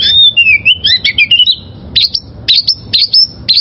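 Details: Wild-caught oriental magpie-robin song for training caged birds: a wavering whistled phrase followed by short, sharp high notes repeated at regular intervals.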